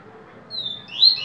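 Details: Yellow-bellied seedeater (coleiro baiano) singing the viviti song type: a thin, drawn-out high whistle sliding slightly downward, followed by a brighter rising whistled note, over low background noise.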